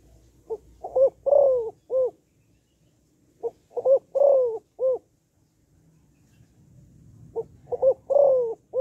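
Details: Female spotted dove calling to excite males, in the gáy gọi, thúc and gù styles. Three phrases about every three and a half seconds, each a short note, a doubled note, a long falling coo and a final short note. Soft low rumble underneath.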